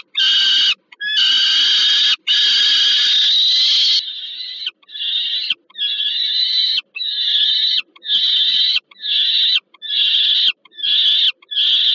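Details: Peregrine falcon calls during a food handover to a young bird at a nest in Warsaw, Poland (Termika Żerań), 15 August 2022: three long, grating screams, then quicker, shorter screeches spaced about a second apart.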